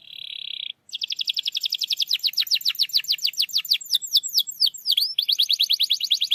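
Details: Canary singing to encourage a quiet canary: steady buzzy tone, short gap, then a rapid trill of descending notes, swooping whistles and a final fast trill.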